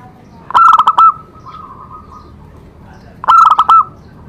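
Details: Zebra dove song meant to stimulate other doves into singing: two short bursts of quick, bubbling staccato coos about 2.7 seconds apart, with softer drawn-out cooing between them and a quiet background.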